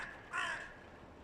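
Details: Noisy crows from rival clans before the breeding season: one short, rasping caw fading into steady background hiss.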